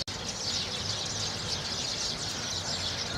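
A flock of sparrows keeps up a dense, continuous chatter of high chirps that blur into one busy wash with no pauses, over a light outdoor hiss.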